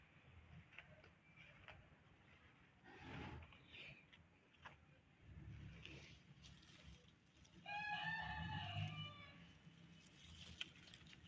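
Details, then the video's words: Hens in an outdoor yard: over steady rustling background noise and faint scattered chirps, a clear harmonic crow rises near the end and lasts about a second and a half before fading. "Natural sounds of my hens"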